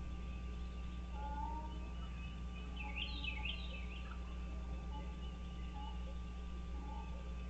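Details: American bald eagles at a wild nest on Dale Hollow Lake, Kentucky-Tennessee border, nest-camera recording from early morning, 30 March 2023. A single short burst of quick, high, piping chitters midway through, against constant low electrical hum and faint bird notes.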